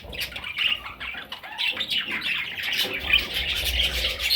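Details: Parrot chicks giving harsh, raspy squawks in overlapping bursts, rising and falling in quick succession, with faint rustling and low background rumble throughout.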